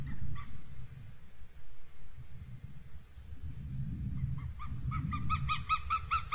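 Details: Northern goshawk at a nest, RSPB Abernethy Forest, Scotland, 3 July 2022: rapid nasal notes begin softly, then become a quick, loud, even series toward the end, above steady low wind-like rumbling.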